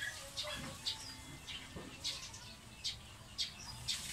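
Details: Eurasian tree sparrow, called maya in the Philippines, where it thrives in urban areas: faint, high, clipped chirps repeated at a quick irregular pace against a hissy background.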